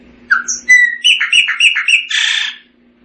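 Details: Chopi blackbird song: a rising whistle, a series of quick repeated chirping notes, then a harsh buzzy burst, with a low hum in the background.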